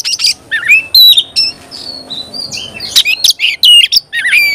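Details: Oriental magpie-robin singing clear whistled notes, upslurred sweeps and short trills, loud and varied with brief gaps between phrases.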